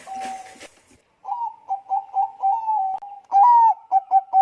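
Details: Vigorous Bangkok-type zebra dove song used as a lure for other doves: after a burst of rustling noise, a series of rolling coos, some held and some clipped, with a louder warbled note near the end.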